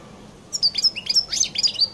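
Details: Brief phrase of distinctive song from a European goldfinch of the Collo type, Algeria: sharp high chirps and tinkling notes in quick succession over about one and a half seconds.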